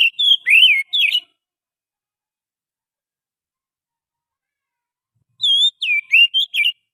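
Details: Oriental magpie-robin lure song from the wild forest: rich whistled notes with falling swoops close one phrase, then silence for about four seconds before another series of five varied whistles.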